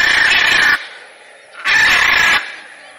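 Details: Two long, rough macaw screeches, each under a second, separated by a brief quieter gap.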